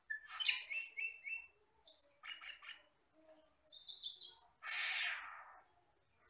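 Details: Asian glossy starling, a forest bird used for training songbirds, producing quick ringing chips, short whistled notes and chatter, ending with a long harsh hissing rasp.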